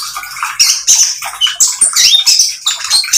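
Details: A short burst from a spotted oriental magpie-robin in full song, meant to prompt other birds to copy it: scratchy squawks and bright high whistles in choppy phrases.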